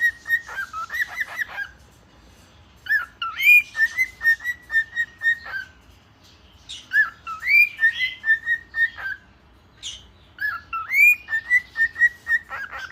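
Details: A male pet cockatiel perched on a hand sings bright whistled phrases, rising chirps followed by quick repeated notes, in bursts.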